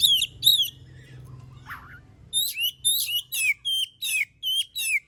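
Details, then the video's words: Kacer, the oriental magpie-robin, in energetic song meant to spur other birds to sing: a run of rapid, repeated whistled syllables sliding downward, about two to three per second, after a brief harsh note. "Suara burung kacer gacor paling ampuh buat pancingan"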